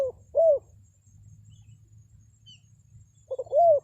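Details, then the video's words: Spotted dove lure call, used to draw wild forest birds into answering. Two low, hoarse cooing notes sit far apart, each rising then falling. A low hum runs underneath, with a faint high chirp between them. "SUARA PANGGILAN TEKUKUR PIKAT, BURUNG HUTAN PASTI NYAHUT"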